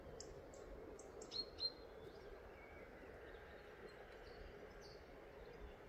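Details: European robin (Erithacus rubecula) recorded 12 October 2024 at Hauptmanca, Ljubljansko Barje marsh near Ljubljana, Slovenia, giving short, high, thin ticking call notes in a quick run, then scattered fainter notes, over a steady low rumble.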